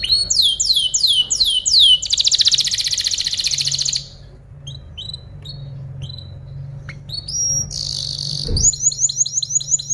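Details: Canary tutor song for training other birds. Repeated downslurred whistles and a dense buzzy trill, then a pause with scattered soft chirps over a low hum, another brief trill, and more falling whistles.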